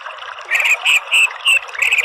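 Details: Orange-headed thrush (anis merah) from Indonesia, used as a therapy track to turn chattering 'ngeriwik' into clear 'ngeplong' singing. Short clear whistled notes with bright overtones come in four quick bursts over a steady watery hiss.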